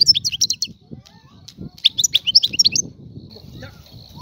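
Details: Algerian European goldfinch, a free bird, giving brief bursts of high tinkling twitters, separated by pauses and thin faint notes, over steady low background noise.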